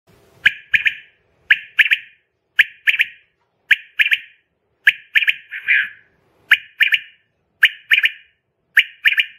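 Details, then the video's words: Common quail at home giving its liquid three-note 'wet-my-lips' phrase, repeated about once a second, with sharp clicking knocks between phrases. "Batair ki awaz || comon quail vice || bter singing today || پکے بٹیر کی أواز"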